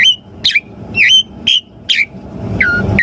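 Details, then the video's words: Asian pied starling calls used to coax caged birds into answering: short bright chirps repeated roughly every half second, each with a falling tail, ending in a drawn-out downslurred note over a murmuring low background. "Pancingan Jalak Suren Auto RESPON Langsung NYAUT - Masteran Suara Burung Jalak Agar Gacor Full Isian"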